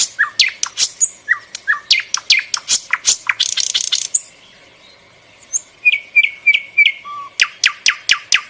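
A bulbul sings bright, rapid chirps and sharp downslurred notes, with quick chattering bursts and a few short whistled phrases between them. The singing runs almost continuously.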